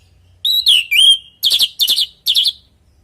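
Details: Natural song of an orange-headed thrush, used as a lure so other thrushes answer and join in: a few slurred whistled notes followed by three short buzzy, trilled bursts.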